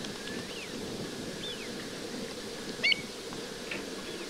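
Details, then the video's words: Wintering White wagtail at the Marais de Séné nature reserve in the Golfe du Morbihan, recorded from an ornithological observatory on 20 February 2023: a loud, abrupt, clipped call just before three seconds, among scattered faint thin bird notes and constant low rumble. "BERGERONNETTE Grise/Motacilla alba/Hiver"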